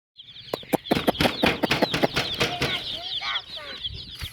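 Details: Colourful hen chicks in a group give dense, high, rapid peeping chirps that overlap continuously, with sharp clicking taps and a few lower clucking notes scattered through.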